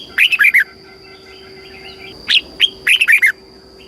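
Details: Southern master-pattern song of a captive red-whiskered bulbul in Thailand, played to stir caged birds and teach chicks: a rippling burst of four notes, a pause, then two single chirps leading into another quick warbled phrase.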